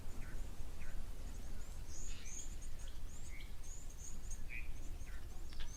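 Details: On a morning of 24 April 2024 at an African waterhole with an elephant present, blue waxbills close to the camera in thickets give thin, very high-pitched, short squeaky calls scattered over steady low rumbling background.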